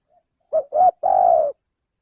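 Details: Male spotted dove call used as a lure for bird trapping: three low hollow coos, a short note, a slightly longer one, then a long drawn-out coo that falls gently at the end, with clean silence around it.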